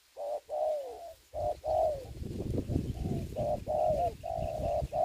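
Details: Spotted dove kept as a decoy bird for trapping in Dong Nai, Vietnam, gives repeated low cooing phrases, each a short note and a longer falling coo, about once a second, with rustling and low rumbling noise between.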